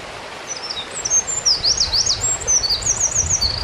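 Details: A Eurasian wren singing beside the Kogesawa forest road, Ura-Takao, Japan. Fast, high, sharply zigzagging notes pour out in a continuous bright jumble, loudest in the second half, against a constant rushing-water background.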